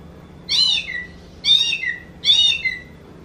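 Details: Oriental magpie-robin giving three harsh, nasal, meow-like calls, each a buzzy burst ending in a lower drawn-out slur, spaced about one second apart, resembling a kitten's mew.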